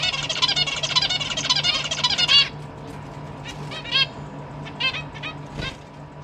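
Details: A caged family of zebra finches with young that have just left the nest, parents feeding them, December 2023; a dense, chattering run of nasal calls for two seconds, then scattered single honking calls over a low hum.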